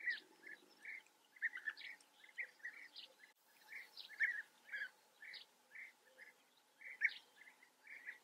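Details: European bee-eaters in Germany's Eifel calling in bursts: clusters of short, burry, trilled notes, overlapping and irregular, with sharp higher chirps between them and a faint continuous hum in the background.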